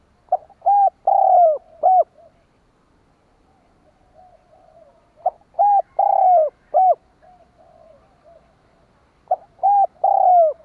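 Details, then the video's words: Spotted dove decoy calling to lure other doves, three rolling coo phrases of short hoots around a long descending purr, roughly four seconds apart, with faint soft coos between them. "Suara Burung Tekukur Denak Padu Juara - tiếng chim cu gáy kích bổi nhanh nổi"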